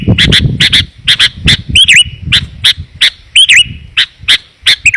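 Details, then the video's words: Lure call of a sooty-headed bulbul used to attract wild birds: repeated sharp chips and a few bubbly slurred phrases over steady low rumbling and rustling noise. "Suara Pikat Burung Kutilang Rapat dan Jernih"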